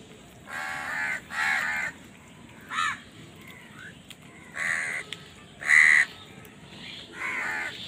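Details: Crows fighting for food give spaced, harsh caws, singly and in pairs, one notably louder and sharper, with quiet gaps between calls.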